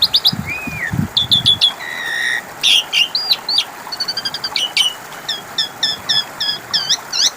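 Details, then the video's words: Asian pied starling song as a lure to get other birds answering: harsh chattering, a buzzy drawn-out note and rapid repeated clipped chirps, with low thumping sounds at the start. "Pancingan suara burung jalak suren macet bunyi 🐦 5 Menit Langsung nyautt!!"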